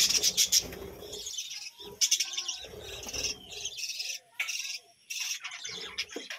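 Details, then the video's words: A village-home budgerigar colony gives bursts of high, warbling chirps and scratchy chatter, broken by short pauses, with several birds calling over one another. "বাজরিগার পাখির ডাক ও কিচিরমিচির গান"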